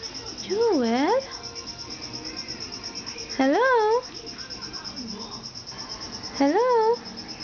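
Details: Moluccan cockatoo pet talking in human-like words: three separate loud utterances about three seconds apart, each a quick rising syllable followed by a swooping, hello-like word.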